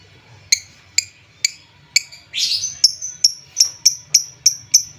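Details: A lovebird recording meant to stir sluggish birds to sing: single sharp ticking notes about every half second, a brief harsh rasp, then quicker, thin, slightly falling chirps repeated at a steady pace.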